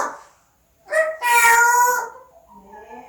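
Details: Parrot uttering one long, strongly harmonic, voice-like phrase with a bright, slightly rasping tone, trailing into softer, wavering tones.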